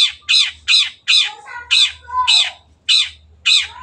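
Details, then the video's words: Long-tailed shrike giving harsh rasping squawks about every half second, with softer whistled notes between two of them. "MASTERAN BURUNG CENDET GACOR"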